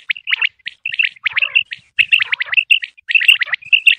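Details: Quail, possibly common quail, in Pakistan, calling in rapid bursts of sharp, high chirps in quick groups with brief pauses, about every half second; the call is used to lure quail for hunting.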